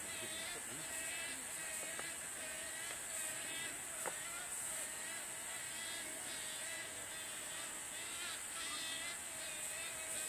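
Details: Two Wood stork chicks begging in the nest as a parent arrives to feed them regurgitated fish, Big Bay Swamp, southeastern US, 2012, keep up a steady, nasal, chattering clamor with rising, wavering notes every second or so over a high insect-like hiss.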